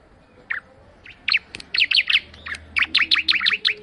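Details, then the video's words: After a few isolated chirps, a bar-winged prinia breaks into quick bursts of bright, sharp notes, growing denser toward the end. "Suara Burung Ciblek Mendayu Auto Gacor"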